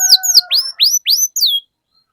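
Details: Canary phrase of five or six loud swooping whistles, the first two falling, the rest rising then dropping, with two steady low tones running under the start before silence.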